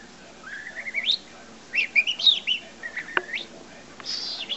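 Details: Captive young parrot, about five months old, repeats owner-taught whistles: a steadily rising glide, a burst of warbled chirpy notes, then short upward whistles and a brief squawky note.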